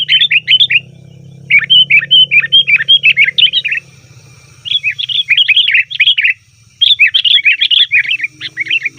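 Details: Loud sooty-headed bulbul calling, used to lure wild bulbuls: four strong bursts of fast, bubbling, slurred chirps, each lasting one to two seconds and separated by short silences, over a low hum.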